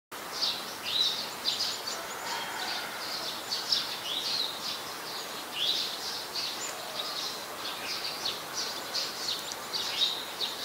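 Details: Ashy woodswallows, a very common resident, recorded in Ubon Ratchathani, Thailand, on 14 December 2019, give short, harsh, high chattering notes in quick, irregular bursts, several birds overlapping, over a steady hiss.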